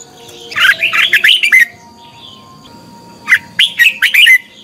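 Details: Competitive song of a red-whiskered bulbul lure bird for training and stimulating birds: a long, lively run of looping whistled notes, a pause, then a second spirited burst of similar chirpy phrases.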